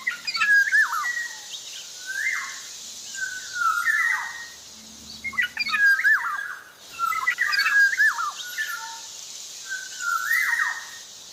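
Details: Fluty, looping whistles from an actively singing black-naped oriole, phrases coming in quick clusters and then drawn-out slurs, with a short low hum midway and background hiss.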